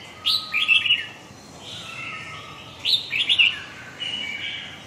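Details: Huế-type red-whiskered bulbul repeating a cheerful warbled phrase twice, about two and a half seconds apart, each a quick sequence of rising and dropping whistles followed by a softer trailing note, over light hiss.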